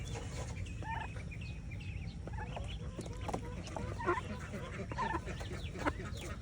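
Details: Mallard ducklings swimming with their mother in the morning; soft, high, whistled peeps scattered in short bursts, some rising or falling, over a steady low rumble of background noise.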